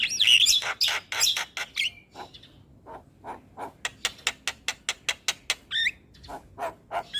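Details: Caged starling stimulation song: a loud burst of grating chatter and squeaks, a quieter pause, then a fast even series of dry clicking notes and a rising whistle.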